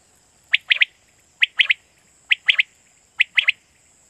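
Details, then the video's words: Quail call from Pakistan used to draw quail in for night hunting: clear, sharp three-note phrases, a single note then a fast double, repeated four times at steady intervals of just under a second. "Batair Kirak batair ki Awaz For Night Hunting"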